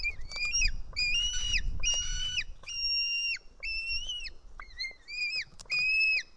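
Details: Begging White-tailed eagle chick, Estonia nest camera, 4 July 2018 around 1:10 pm, fed fish by a parent; repeated high whistled screams, each level then dropping, some shorter and broken, over low rumble in the first half.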